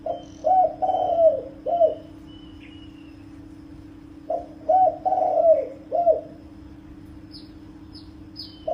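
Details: Spotted dove calling to lure wild birds: two bouts of low, soft, throaty cooing, each a run of about four mellow notes with a drawn-out middle coo, several seconds apart; steady low hum throughout, and thin high chirps from another bird near the end.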